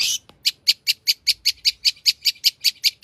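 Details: Long-tailed shrike singing energetically with a rich fill-in repertoire; after a brief harsh burst, a steady series of about fourteen identical bright, clipped high notes repeats roughly every fifth of a second.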